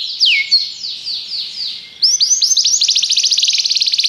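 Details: Belgian canary in song for training, opening with a slow series of descending whistled slurs before switching to a quick, even, bright trill of repeated rising notes.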